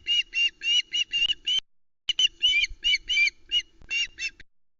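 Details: Female Osprey chick, last of three left on a Loch Arkaig nest, 1 September 2020, calling over a large trout from her father without eating; loud, rapid, harsh squawks in clustered bursts with brief gaps.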